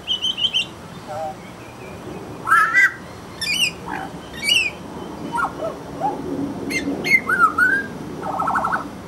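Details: Grey Butcherbird gives scattered clear whistled notes, some rising, mixed with harsher chattering bursts every second or so, over a steady crackling background hiss.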